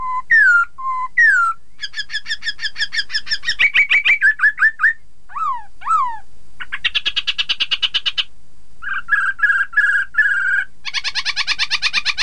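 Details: Varied Chinese hwamei song aimed at provoking rival birds into singing: falling whistled notes, long buzzy trilled passages, sharp descending slurs and rapid repeated chatter, with several changes of pattern.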